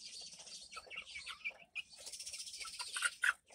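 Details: White Leghorn chicks, hatched March 17, 2024 and recorded May 26, 2024, giving a busy flurry of thin, high peeps and chirps that overlap and run together, with a short lull midway, at low volume.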